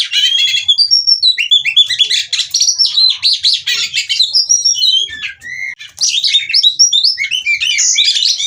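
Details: Female Oriental magpie-robin (kacer) singing lively, used as therapy to spur other kacer to sing; a dense, fast stream of high chirps, short whistles and harsh squawky notes, with a brief lull near the middle before the outpouring resumes.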